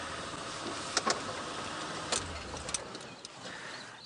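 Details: A steady vehicle rumble, with scattered sharp clicks and knocks; no animal voice can be made out.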